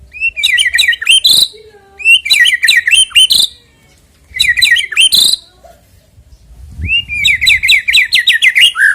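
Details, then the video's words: Song of a white-rumped shama, used to stir a bird into singing before a singing contest: repeated bursts of quick chattering and whistled notes, separated by short pauses, with a faint low thump. "EFEKTIP AGAR CEPAT BUNYI BUAT PANCINGAN MURAI BATU JELANG LOMBA KICAU"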